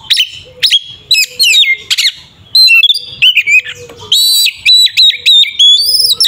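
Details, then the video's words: Singing Oriental magpie-robin, 'ngeplong' fighting style for provoking rivals: rapid sequences of sharp whistled notes, harsh buzzy chunks and metallic trills, phrases tumbling one after another with brief gaps. "Suara burung Kacer TARUNG NGEPLONG sangat efektif untuk pancingan Kacer agar emosi"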